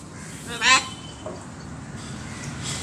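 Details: A pet macaw named Max gives one loud, harsh, rasping squawk lasting about a quarter second, followed by a quieter, brief note in an otherwise hushed room while its owner coaxes it to talk.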